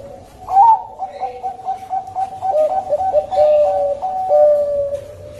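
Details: Lure recording of a Bangkok zebra dove: a rising opening coo followed by a fast chain of short, slightly wavering coos that slow into longer, level notes.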